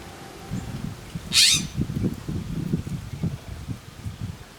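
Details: Western scrub jay giving one short, harsh, raspy call in strong wind around a feeding tray, with steady wind rumbling and gusting through the whole clip.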